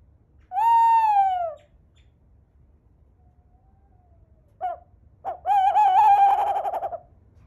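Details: A captive tawny owl at an owl cafe in Tokyo gives a drawn-out hollow hoo, a pause, a brief hu, then a long wavering, quavering hoo; no other sounds are heard.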